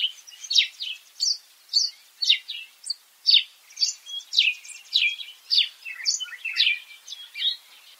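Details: African sparrows in a lively group, many sharp overlapping chirps and short twittering notes in a constant, restless chatter.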